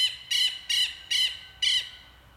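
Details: Southern lapwing (tero) repeating loud, harsh, grating calls, four in quick succession about half a second apart, each clipped and strident, in otherwise quiet surroundings.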